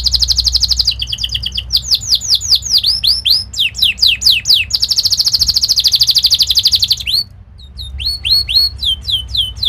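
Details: Canary training song for young birds, a gacor kenari: fast sharp repeated down-slurred chirps, rapid trilled rolls and buzzy sustained high trills, continuous and loud with a low hum beneath.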